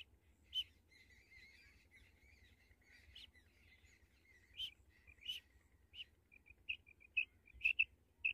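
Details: Female common quail calling: short, sharp high notes, given singly and in quick pairs, spaced irregularly and growing more frequent toward the end, over a faint continuous chatter and low rumble.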